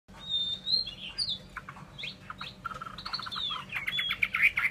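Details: Chinese hwamei singing: scattered whistled slurs and short chattering notes, fairly soft, growing denser and brighter toward the end with quick high twitters.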